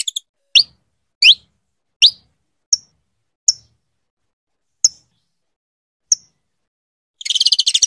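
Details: Female saffron finch calling repeatedly to get her mate ready to breed: a series of about eight high chirps, the first ones rising upswept notes, later ones short sharp peeps, ending in a fast buzzy chatter.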